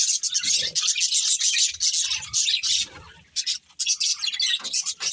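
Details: A breeding pair of budgerigars kept as pets chirping in rapid bursts of harsh, high twittering notes separated by brief gaps, with faint low rustling underneath.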